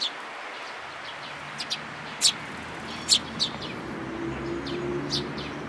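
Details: A few loud, abrupt chirps from sparrows with a chick, 18 May 2018, stand out against a steady hiss. A faint low tone enters near the end.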